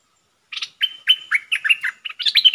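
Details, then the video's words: A decoy bulbul delivers one continuous burst of bubbling, slurred whistles, bright and quick, ending in a busier cluster of notes. "เสียงนกดอกแตงEp.73 นกต่อสายโหด(เจ้ามณี) Suara merbah lekir gacor"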